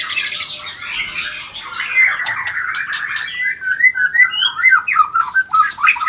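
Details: Shama breeding lure in rencetan style: a buzzy, blurred chatter at first, then clearer quick whistled chirps in a bouncing sequence, with occasional sharp clicks.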